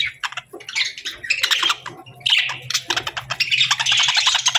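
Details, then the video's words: Summer parakeets in lively, rapid chirping: sharp squeaks and scratchy warbled phrases tumbling over one another, with a soft low hum throughout. "Parakeets Chirping Sounds"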